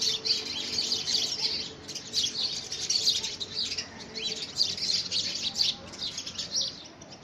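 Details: Several house sparrows fight over a handmade nest box in early February 2017, giving shrill, rapid chirps in clustered bursts that ease slightly toward the end.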